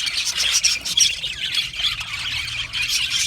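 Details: Australian budgies in a colony aviary, short squawky chirps and rapid warbling from many birds at once, loud bursts rising and falling over a few seconds.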